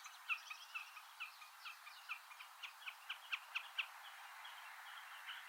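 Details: White-tailed eagle chicks in Iceland, feeding on lumpfish, give thin, high peeping calls, about two a second in an uneven run, over a soft background hiss.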